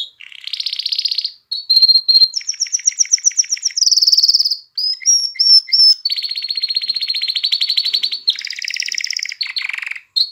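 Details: Canary song played to stimulate females to mate and encourage chicks to sing; a long run of high rolling trills and buzzy tours, each phrase switching to a new rapid repeated note, with brief pure whistled notes between.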